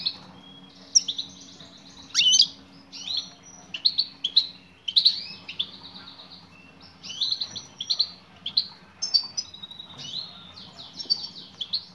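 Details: Female European goldfinch calling to a male with a long run of high, liquid twittering and chirps, interrupted by brief pauses and a few sharp, sweeping notes.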